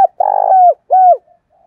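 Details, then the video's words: Spotted dove in the 'giọng đồng thổ' style: a long, rich, slightly buzzy low coo sliding down at the end, then a shorter smooth falling coo, and faint soft notes trailing after. "cu gáy giọng đồng thổ thúc rút bổi nghe cái gáy luân và ngay"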